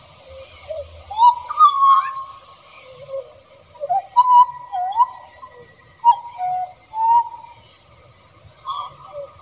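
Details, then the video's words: Hooded butcherbird in the wild pouring out a melodious song: phrases of rich, fluted whistles with upward swoops and dipping slurs, separated by short pauses over about nine seconds, with a faint low rumble early on. "Kicau Merdu Jagal Papua Di Alam Liar"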